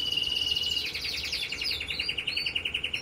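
A red mosaic canary sings a bright, high rolling trill that starts as a steady buzz and breaks into fast, evenly pulsed notes, about fourteen a second.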